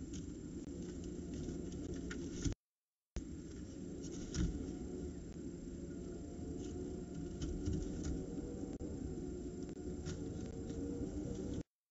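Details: Steady low rumble and wind-like noise with faint tapping and a brief break, and no clear animal calls.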